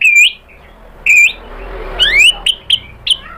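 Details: White-rumped shama singing as a lure to provoke a rival into answering: three separate clear whistled phrases, a rising-and-falling note followed by upslurred whistles and short sharp notes, with quiet gaps between.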